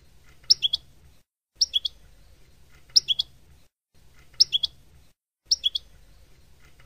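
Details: Palestinian-style song of a European goldfinch, shared for breeders to play to fledglings: a crisp chirped motif of three or four quick notes, repeated five times at roughly one-second intervals, with a soft background hum.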